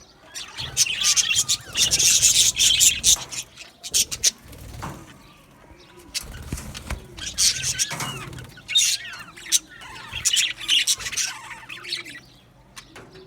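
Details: Colony of Australian budgerigars in an aviary, singing and chirping: bursts of dense, scratchy high warbling chatter lasting a few seconds, separated by quieter gaps with scattered clicks and chirps.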